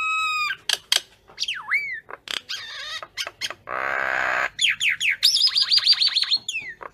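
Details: Common myna calling the flock, mixing a dipping whistle, sharp clicks and a long harsh rasping churr, ending in a quick series of rising whistled notes and squeaky chatter.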